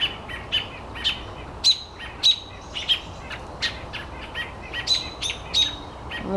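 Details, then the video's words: Agitated calls from several wild birds attacking a cat that caught one of them, protecting each other; sharp high chirps and short whistled notes repeated roughly every half second, with faint outdoor background. "Look at them all protecting each other."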